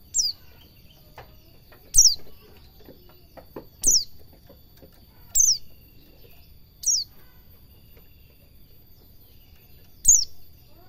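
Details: White-eye in the ngalas cingjuitan style, a master track for teaching cage birds: six piercing downslurred notes spaced roughly every one and a half to two seconds, with a quiet steady tone behind.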